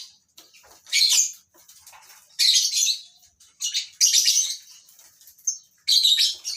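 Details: Shrill, rasping squawks from colony-kept breeding lovebirds, coming in loud bursts roughly every one to one and a half seconds, with faint chirps in between.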